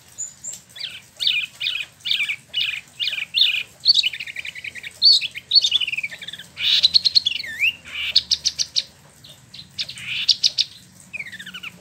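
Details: Rolling ngeroll song of a caged spot-throated babbler in Bandung, Indonesia, an import from mainland China and Vietnam: a long run of rapid, repeated descending notes that quickens into clustered bursts and ends in a few sliding whistles.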